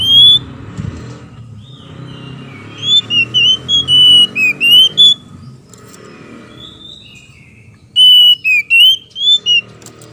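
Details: Oriental magpie-robin male and female duetting, played to stir other magpie-robins into anger and song: bursts of bright, slurred whistles and quick warbled notes in two phrases separated by a pause, with a low background hum.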